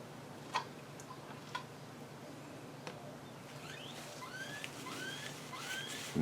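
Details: A grackle outside, in a US area on a major migration flyway, gives a run of thin, squeaky whistles sliding up and down in the second half, after sharp tapping clicks, over a low background hum.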